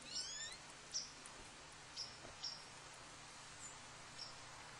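Red-breasted nuthatch giving short, high, nasal toots, about five in five seconds at an uneven pace, over a steady background hiss.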